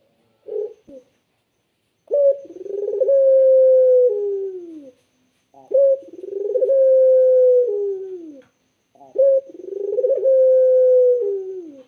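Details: Barbary dove cooing with a clear, soothing voice: three coos about three and a half seconds apart, each opening with a short rising stutter, then a long steady low note that falls away at the end, in a quiet room.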